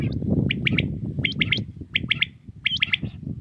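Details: Early-morning song of a common quail in Pakistan, crisp three-note phrases given four times in quick succession, with a few thin rising notes and steady low background rumble.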